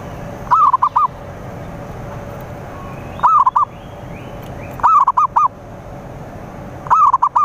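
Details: Zebra dove repeating its soft cooing phrase to lure rivals: a drawn-out first coo and a tumble of short coos, four phrases evenly spaced, with faint chirps from other birds in between.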